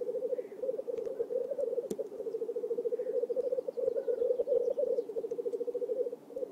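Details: Black grouse lekking in a swamp in Oulu, Finland, on 5 May 2022 keep up a continuous low, bubbling rookoo, a dove-like pulsing murmur with no pause, and a few faint higher calls over it.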